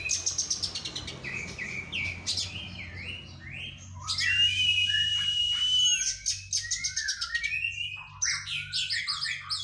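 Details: Oriental magpie-robin in physical training after moulting: rapid high trilled chips and swooping whistles, a sustained clear whistle, then more quick chattering phrases, with a low hum.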